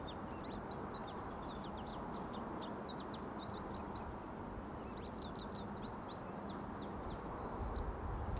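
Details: Singing American goldfinch delivering a long, jumbled series of quick high chips, twitters and upslurred notes, with a brief pause and then a denser burst of notes, over constant low-pitched background rumble.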